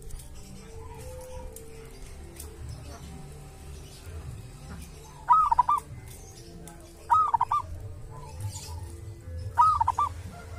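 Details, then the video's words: Zebra dove (perkutut) of the local wild type, from a sacred tomb, with its own distinctive voice: three brief trilled cooing phrases roughly every two seconds, amid constant low background noise. "perkutut lokal dari MAKAM KERAMAT ‼️punya suara cirihas tersendiri"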